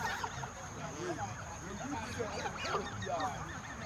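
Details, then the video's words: More than a hundred geese in a field at feeding time, giving a continuous jumble of short honking and gabbling calls, some with rising and falling inflections, over a constant background hum. "Con mas de Cien Gansos.With more Geeses."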